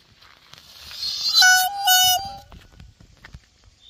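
A peacock gives one loud, nasal, wailing cry lasting about a second, held level with a slight dip, after a stretch of soft rustling background noise.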